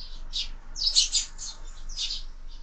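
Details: Sparrows scuffling at a window feeder, fed all year; a few short, harsh, clustered chirps, the loudest in the middle of the clip.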